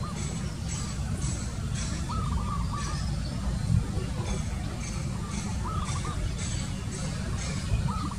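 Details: Zebra dove giving three short, stuttering, trilled coo phrases spread across the recording, partly masked by heavy low rumble and a few faint high ticks.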